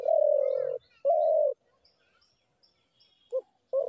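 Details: Spotted dove gives two long, steady, hollow coos close together, then a short clipped note as the next phrase begins. Faint high bird notes are heard behind.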